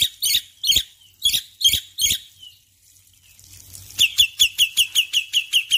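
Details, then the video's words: Male black-winged myna in full morning song: five loud, harsh chattering bursts about half a second apart, a short quiet gap, then a fast, even series of about a dozen clipped whistled notes. "Jalak Putih Jantan Gacor Pagi Hari"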